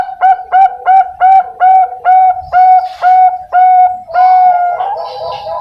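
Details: Young Bangkok-type zebra dove, captive-bred in a cage at a bird farm in Pasuruan, East Java, Indonesia, hatched 6 February 2023. It gives a run of about eleven clear, mellow whistled coos, evenly spaced, ending in a longer drawn note with soft background noise.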